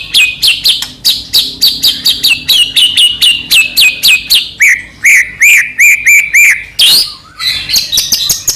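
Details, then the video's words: White-rumped shama of the Medan type in nonstop gacor song, played so that another shama will start singing. Steady sharp notes repeat about three per second, then shift to a lower ringing series and a rising slur. "murai batu gacor AMPUH buat PANCINGAN murai batu agar bunyi"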